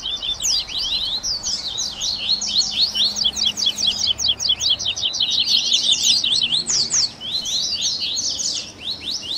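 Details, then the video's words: Double-collared seedeater 'baderninha' recording for warming up a captive songbird: rapid trains of short, high, downslurred notes overlap in a busy chorus that fades briefly near the end. "Baderninha de Coleiro Top FAÇA SEU COLEIRO CANTAR em 30 Minutos - Esquenta de Coleirinho!"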